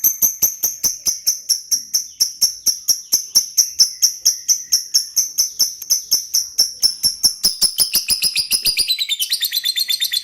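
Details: Lovebird singing in the gacor style: a fast, steady run of shrill high chirps, about two per second, that speeds up near the end into a tight, rattling trill.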